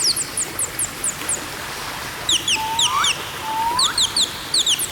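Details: Parrot calling, described as natural bird sound: rapid series of short, high, downslurred chirps in stacked bands, with two lower rising whistles midway.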